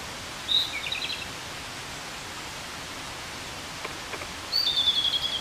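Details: Japanese robin (Larvivora akahige) song: two brief, high phrases, each a thin opening note breaking into a quick trill, about four seconds apart over a steady hiss of background noise.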